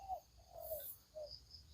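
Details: A decoy spotted dove coos softly beside a rice field by a sugarcane field, with three low, mellow notes about half a second apart, as other birds chirp faintly in the background.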